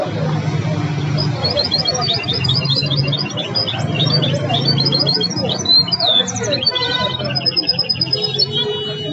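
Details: Goldfinch hybrid performing song learned from the Belghith, Jnan El Hsira and Si El Fahm styles: rapid high twitters and rattling trills, then a buzzy stuttered passage and sustained ringing tones, above a constant low hum.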